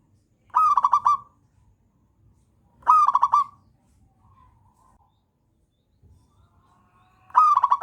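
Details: A local wild zebra dove's cooing song, used as a master song for training: short bursts of rapid, staccato rolling notes at a soft mid pitch, repeated every few seconds over a faint low rumble.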